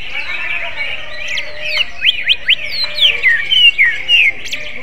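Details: Greater green leafbird, said to sing like a magpie-robin: soft warbling at first, then a run of loud rising whistles and drawn-out falling, trilled whistles, uneven in spacing, with a steady background hum.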